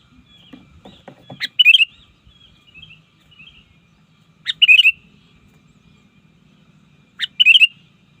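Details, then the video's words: Sooty-headed bulbul, a trained bird used to lure rivals in the wild, sings three short bubbly warbled phrases about three seconds apart, with clicking and soft knocks at the start. "Suara burung kutilang ajaran, belajar memanggil lawan di alam liar!!!"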